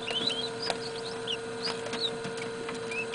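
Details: Hatchling northern bobwhite chicks in an indoor container, filmed around 9pm. A few high, sliding peeps and short chirps over a continuous hum and light tapping.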